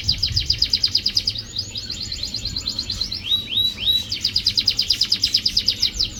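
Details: Canary song played as a lure to prompt a canary that is reluctant to sing: high, rapid trills of sharply repeated notes, broken midway by a few slurred upward-sweeping whistles before the fast trilling resumes.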